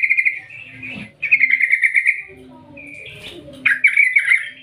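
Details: Yellow-vented bulbul giving a long gacor call in the ngerol ngetir style, used to lure other bulbuls into singing: bubbly rolling trills in three bursts, fast pulsed notes with quieter gaps between.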